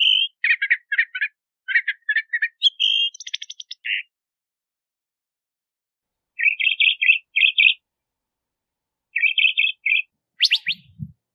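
Crissal Thrasher singing varied, rich phrases of repeated chirps and whistles, each couple of notes different, with pauses between bursts; a brief rattle near the end.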